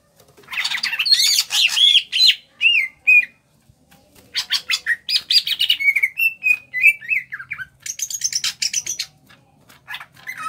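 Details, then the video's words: Greater green leafbird from Kalimantan, caged, with a loud scratchy outburst, a silent gap, then a quick series of slurred whistles and very high buzzy notes repeated almost three times a second, in 'ngentrok' style. "Cucak Ijo Kalimantan Gacor NGENTROK"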